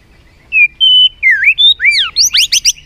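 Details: White-rumped shama singing competitively: clear high whistles, a level note, downslurred and upslurred phrases, ending in a quick burst of high rising notes.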